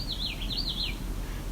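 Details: Gray Catbird at Barney Lake Nature Reserve on the Bruce Peninsula, beside a lake: one quick, wavering, squeaky phrase under a second, rising and falling in pitch, over a steady low rumble of wind.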